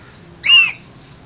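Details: A single drawn-out, harsh parrot squawk, slightly falling at the end, from one of two green parrots in a cage.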